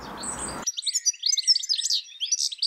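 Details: European goldfinch, a common UK garden bird, singing a quick, liquid twitter of high tinkling and buzzy notes, after a brief burst of broad hiss at the start.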